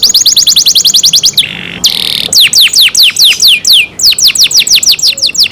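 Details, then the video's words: Kept canary song opening with a fast rattle of identical high notes, a short harsh buzzy burst, then loud repeated downward-slurred whistles about four per second. "canary Nice sound"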